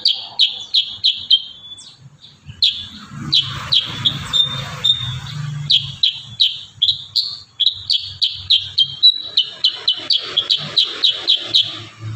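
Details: Vigorous Kurincang song in the 'tembakan rapat' style: long runs of rapid, sharp, downslurred high notes, about three per second, broken by brief pauses and short level whistles, with a faint low rumble behind.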